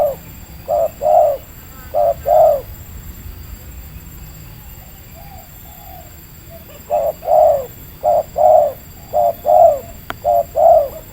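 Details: Wild spotted dove with a medium voice, lured during bird trapping at Libaas, Indonesia: paired hooting coos repeated about once a second, a quiet pause of several seconds, then another steady series of the same coos.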